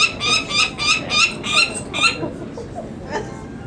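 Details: Nestling Peregrine Falcons, part of a brood of three females and one male, crying while handled for banding at Market Tower, Indianapolis, in May 2009; harsh rapid cries for two seconds, then fading into faint calls and background noise.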